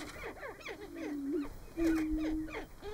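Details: At a Nebraska booming ground in March, greater prairie-chickens display for mating: a run of quick downward-sliding cackling notes, then two sustained low hollow booms, the second held for about a second.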